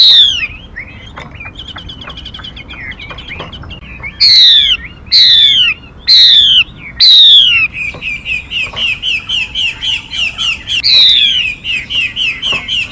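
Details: Decoy song of a female Mi bird, used to lure wild birds to traps and train young birds: scattered chirps, then four loud down-slurred whistles, followed by a fast run of short, even repeated notes with occasional whistles.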